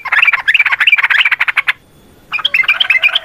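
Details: Yellow-vented bulbul in vigorous, long rapid 'ropel' fighting-style song, used as a lure to make other bulbuls answer: dense bubbly chattering notes for nearly two seconds, a brief pause, then another burst of bright warbled phrases.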